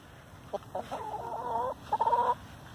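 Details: Free-ranging domestic hen complaining: a run of rapid, nasal clucks rising into a drawn-out whining note, then a second shorter burst ending in a higher whine, over faint low hum.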